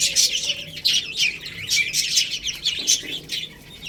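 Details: Young chickens playing while eating rice, giving a steady stream of high, piercing cheeps from several chicks, briefly thinning toward the end.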